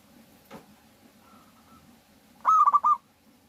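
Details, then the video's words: Lure recording of an actively singing local zebra dove, meant to get other doves singing: one brief phrase of four rapid, soft, rolling coos near the end, after a single click and a quiet steady hum. "suara pikat burung Perkutut lokal gacor Jagonya Pancingan perkutut agar bunyi"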